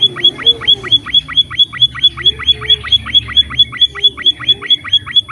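A munia gives a rapid run of thin, high chipping notes, each dropping sharply in pitch, about four per second, over a faint low hum.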